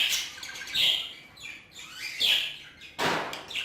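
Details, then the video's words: Budgerigars kept in an aviary, Hogoromo type included, calling with loud clear chirps that sweep upward and fall, about three distinct calls over a low background twitter, plus a sharp click near the end. "محمية طيور البادجي الفلل طيور هوقورومو"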